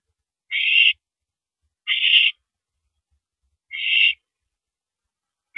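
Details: Harsh, noisy hisses from an owl during a nighttime mouse delivery at 9:17 PM on April 13, 2012, three full screeches evenly spaced about one and a half seconds apart, then a fourth cut short.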